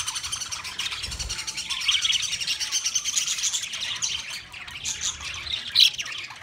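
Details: Budgerigars, Australian parrots, recorded on 13 March 2024: dense, unbroken high twittering chatter of overlapping voices, with one sharper, louder chirp near the end.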